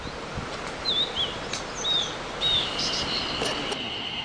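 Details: A blue-and-white flycatcher (Cyanoptila cyanomelana) sings at length in early morning above a mountain stream near a highland in 2014: a few clear, high, slurred whistles, each rising then falling, about half a second apart, over steady rushing water.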